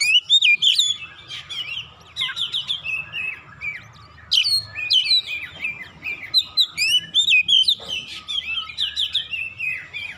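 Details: Excited oriental magpie-robin persistently delivering its 'isian' fill-in song, meant to provoke other birds into singing: long runs of loud, jumbled whistles, trills and chattering notes, each dense burst followed by a brief lull, over a soft low hum.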